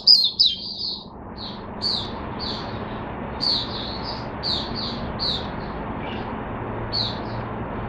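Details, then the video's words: Caged Oriental white-eye, 5 May 2022, gives a quick twitter, then spaced single high chirps roughly every half second over steady background hiss. "Mata Puteh Hercules V1 buka sing"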